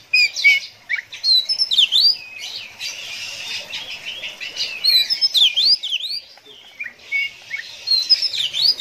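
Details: Oriental magpie-robin (kacer) delivering bursts of sharp, sweeping whistles and chips separated by stretches of softer, hissy twittering.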